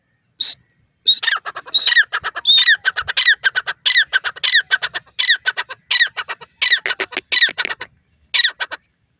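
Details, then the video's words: A francolin (teetar) gives loud, harsh, grating notes in rapid, uneven bursts that run almost without pause, with no other sounds in the background. "teetar awaz francolin voice"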